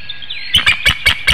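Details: Bald eagle calling at its nest in Hanover, Pennsylvania, 7 a.m., 25 March 2019, urging its mate to take over incubating the eggs; five loud, harsh, clipped notes about a fifth of a second apart, with faint birdsong behind.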